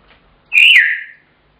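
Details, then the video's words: African grey parrot kept as a pet, shouting when its owner gets home from work until fed. A single loud whistled note rises slightly, then slides down, lasting under a second in a quiet room. "African Grey Shouting"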